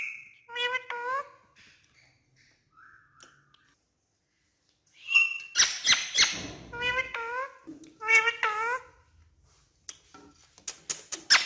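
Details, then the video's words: Urdu-speaking pet parrot indoors: several short sets of nasal, wavering speech-like syllables with falling and rising tones, scratchy squeaks between them, and sharp clicks near the end. "Alex Is A Funny Urdu Speaking Parrot"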